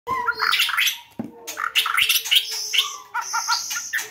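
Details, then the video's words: White-rumped shama lure song: rapid, varied phrases of sharp chirps and short whistled notes, broken by a brief pause, over a steady low hum and a faint high whine. "Pikat murai batu"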